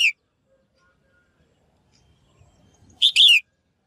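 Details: A female bird calls to stimulate males to sing: the tail of one chirp, near silence, then a loud phrase of a brief high note and a longer downward-sliding slur.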